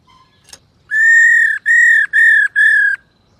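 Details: A female black-throated laughingthrush calls to rouse males: four loud, flat, ringing notes in a steady sequence, following a soft click and a faint note.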